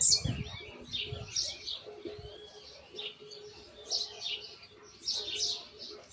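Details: Young white jilguero rehearsing the misisipi song with rough edges: scattered high chirps and short twittering bursts separated by brief pauses, over a low hum and a soft steady background tone.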